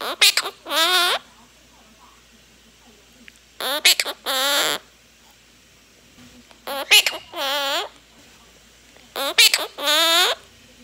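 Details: Three-year-old female monk parakeet, a gentle pet that talks and sings with its owner, repeating a short spoken phrase four times, each a quick clipped pair of syllables then a drawn-out wavering vowel, with quiet pauses between.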